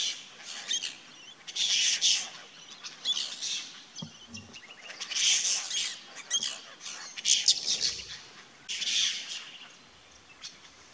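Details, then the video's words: A flock of apostlebirds at a small creek in the Aussie bush, timidly approaching the water's edge to drink, keeps up raspy, scratchy chattering in uneven bursts, with a couple of soft low thuds. "APPOSTLEBIRDS - Chatterboxes of the Bush"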